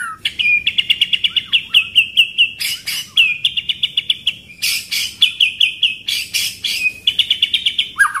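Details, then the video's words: Pastol-style White-rumped shama training song with rolling 'shot' rhythm: long runs of rapid, steady, high repeated notes punctuated by loud harsh bursts, about four notes a second. "Masteran pastol irama tembakan ngeroll"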